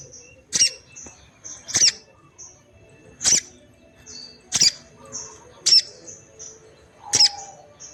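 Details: A female orange-headed thrush calls to stir males into responding and breeding condition: six loud, sharp, high clicks spaced roughly one to one and a half seconds apart, each followed by short thin whistles.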